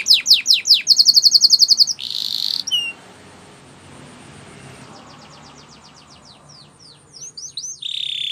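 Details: Canary training song: rapid high repeated upslurred notes and a buzzy trill, then a quieter stretch of faint background hiss before sweeping whistled notes and a dense high trill return.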